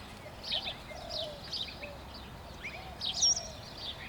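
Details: Pied butcherbird's morning song in Southern Queensland, August 2017: low, mellow fluted whistles that slide gently, a few notes every second or so, over busy higher chirping from other birds.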